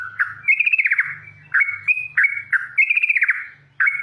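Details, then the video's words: Wild yellow-vented bulbul singing loudly: bubbly whistled notes alternating with fast rattling trills that slide downward, plus a faint low hum in the background. "Burung trucukan gacor mengelegar"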